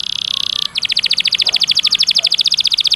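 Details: Canary master song meant to train caged canaries for contests: a brief high buzzy trill, a short pause, then a long steady trill of rapid repeated notes, fast and even throughout.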